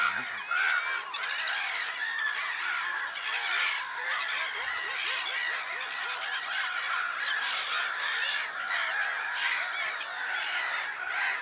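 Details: A mass of black-headed gulls calling at Lake Sarymsak in the Pavlodar region of Kazakhstan on 10 April 2011. Harsh, screeching cries run on without a break, many birds overlapping at once.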